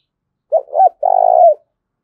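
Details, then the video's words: Single cooing phrase from a spotted dove in the thổ đồng style, as gù thúc and gáy gọi coos: a pair of brief rounded hoots followed by one sustained, gently pulsing coo that falls slightly at its close. Quiet background. "Tiếng cu gù Thúc và Gáy Gọi"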